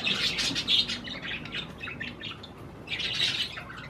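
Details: Budgerigars eating cherry tomatoes chatter in quick, raspy chirps, two louder bursts framing softer twittering over about four seconds.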